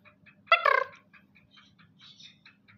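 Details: A captive five-month-old black francolin kept as a hobby bird gives a single loud, harsh, rasping note lasting under half a second, followed by faint scattered chirps over a low steady background hum.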